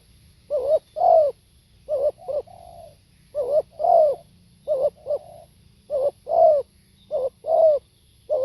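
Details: A spotted dove sings live in repeated phrases of two or three low, throaty coos, the middle one longer and bowed, sometimes ending in a faint flat purr, with brief gaps between phrases.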